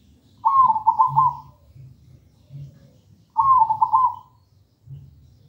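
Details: Zebra dove of local stock in full, clear song, meant as a model for young doves not yet singing: two bubbling, rolling coo phrases separated by a three-second pause, over soft low background rumble.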